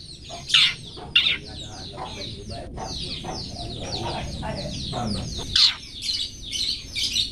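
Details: Long-tailed shrike, 'toet toet' song used as a master recording for training cage birds: harsh loud notes mixed with rapid downslurred chirps and twittering, over a low rumbling background.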